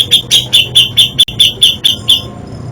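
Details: Grey-cheeked bulbul giving isian song variations: about ten crisp, high, evenly spaced chirps, one every quarter second, with a brief click midway and a faint murmur underneath.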